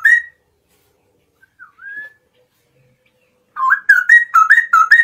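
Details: Straw-headed bulbul singing in the morning, a loud, full-throated caged-bird song: a short whistle, a quiet gap with soft phrases, then rapid bubbling warbled notes around mid pitch repeated in quick bursts.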